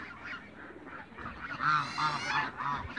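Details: African geese, mature and young birds together in a backyard, give nasal honking calls, several overlapping voices in quick bursts of about three per second, rising and falling.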